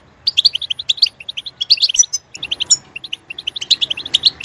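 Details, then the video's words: A European goldfinch chirps quick, crisp, liquid notes in tight clusters, with a brief break just past two seconds before the twittering resumes. "Stimulating a goldfinch clip to make it chirp in a loud and wonderful voice"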